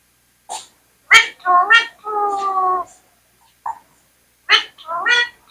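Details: Indian parrot kept as a talking bird repeats speech-like phrases in a reedy, nasal voice. Clipped syllables lead into a long, level drawn-out word, followed by a single click. Then comes a fresh burst of two quick rising syllables.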